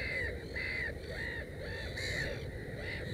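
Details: Black-headed gull at its nest with three chicks, 16 May 2015, giving harsh, nasal, slightly arched calls, about five in three seconds, over a steady low rumble of wind or water.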